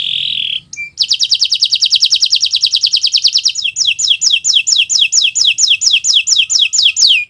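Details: Kenari Nusantara canary in full gacor song, used as a tutor recording for learning birds: a brief buzz, then a long rapid trill of high sweeping notes that slows into evenly spaced, louder downward-slurred chips.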